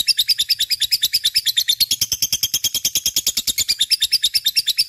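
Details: Lovebird chattering energetically as a lure for other birds, a steady, rapid series of high, scratchy chirps repeated about three times per second.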